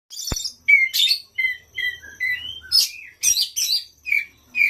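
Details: Oriental magpie-robin song used as a lure to prompt other magpie-robins to sing: varied clear whistles, some rising or falling, mixed with harsh buzzy bursts and a sharp click, phrases spaced by brief pauses.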